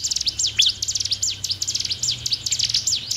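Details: Bar-winged prinia song used to stimulate caged birds to sing: rapid, dense series of high, sharp downslurred chirps, about seventy bursts a minute, steady and unbroken, with a faint low hum underneath.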